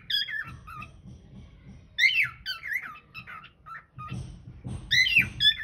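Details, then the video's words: Indoor cockatiel, filmed by hidden camera, singing bursts of wavering squeaky whistles that rise and drop, separated by quieter gaps, with low background room noise. "Singing cocktail"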